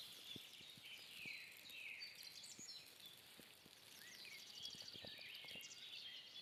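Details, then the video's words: Dawn chorus in fog in an artificial mixed woodland, Donbass, 12 June 2021: several birds give high whistled, warbling and rising phrases, overlapping, over faint drips and soft background noise. "Пение птиц"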